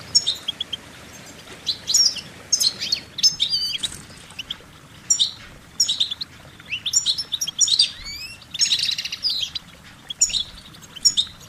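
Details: Singing goldfinches deliver short, musical warbling phrases. Dense clusters of high twittering and buzzy trills come in bursts about a second apart, with short pauses between.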